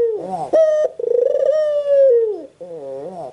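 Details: Caged white Barbary dove calling: a bent rising note and sharp bleat, a drawn-out pulsing coo that dips downward, then further wavering notes.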